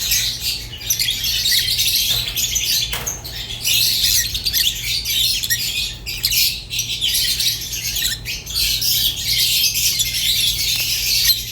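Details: Continuous buzzy, high twittering and squawks from pet rosy-faced and Fischer's lovebirds, a lively stream of scratchy notes with a couple of brief gaps.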